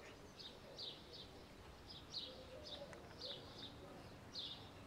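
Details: Young starling chick calling with brief, thin, high chirps, roughly seven bursts spaced irregularly, often in quick pairs, set against constant low background noise.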